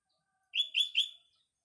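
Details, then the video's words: Morning song of a sooty-headed bulbul amid green nature: after a short silence, three loud, bright chirped notes in a quick run, the final note drawn out and fading. "burung kutilang berkicau"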